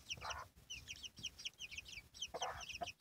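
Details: Domestic chicken, a hen with her chicks: dense high chick peeps, short falling whistled notes repeated rapidly, with two louder broadband hen clucks breaking in.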